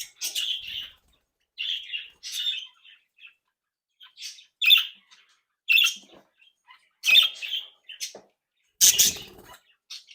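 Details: Playful, active budgerigars from a home breeding flock: repeated short buzzy chirps and squeaky notes, spaced about a second apart, with a louder squawk near the end.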